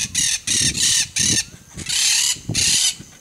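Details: Monk parakeet giving loud, harsh, grating screeches in short bursts of about a third of a second, roughly six calls in three seconds with brief pauses between them.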